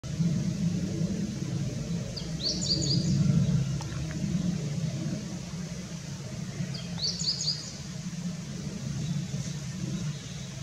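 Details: Meadow bunting recorded on 2018-05-17: two short, bright twittering phrases of quick, jumbled high notes, about four seconds apart, over a steady low rumble of traffic.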